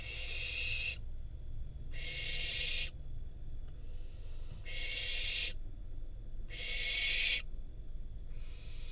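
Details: Fledgling barn owl, wild, in Israel, delivered prey by its parents; five rasping hissed screeches near one second each, regularly spaced over low steady background hum.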